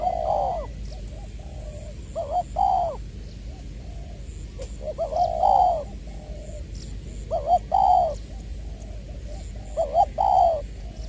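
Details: Spotted dove kept as a decoy, from Long Đức in Trà Vinh, voice style 'giọng tiểu', dated 22 February 2021; mellow coo phrases, each a stuttered double note and a longer falling note, repeat about every two to three seconds.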